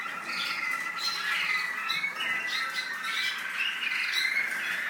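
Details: Continuous song from an American singer canary in the UAE: rapid rolling trills and short whistled slurs layered over a sustained tone, delivered without pause across the whole stretch.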